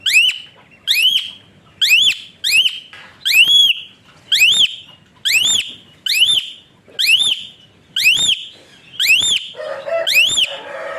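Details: Asian pied starling song of whistle-like notes, used to stimulate quiet birds to sing: a long, steady series of bright upward-swooping whistles, about one per second, with a faint noisy sound near the end.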